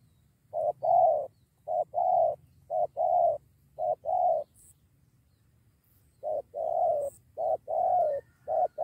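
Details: Decoy-lured spotted doves squaring up to fight, one bringing a companion. Loud, clear coos in doubled and tripled phrases, with a short silent gap midway, over a quiet background.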